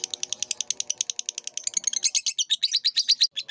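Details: Lovebird chatter from a masteran recording for training cage birds: evenly spaced, shrill chirps that grow louder, longer and harsher toward the end, over a faint low hum.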